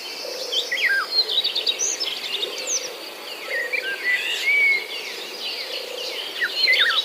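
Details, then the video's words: Birds chirping among green corn plants and palm trees: a busy chorus of many short high chirps, rising and falling slurred notes and quick trills from several birds, with a steady insect buzz and a low hum underneath. "The sound of birds chirping among the corn plants"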